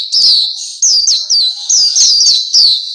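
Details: Black-capped white-eye singing for a training recording aimed at captive birds: high, sweet notes with downward slurs, delivered in a steady chain of short phrases.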